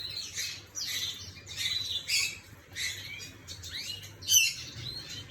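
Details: Canary singing, recorded 11 May 2025: high, scratchy twittering phrases and a few swooping notes in short bursts, over a steady low electrical hum.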